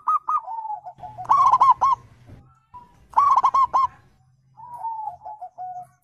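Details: Wild zebra dove call used as a lure for answering birds: short coos, then two bursts of fast clipped notes, ending with a soft wavering, slightly descending coo.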